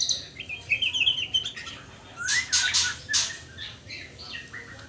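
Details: Juvenile white-rumped shama at the trotol stage, before pastol, gives a soft, jumbled twittering subsong, then a rising whistle among three loud, harsh noisy bursts, and faint quiet notes afterwards.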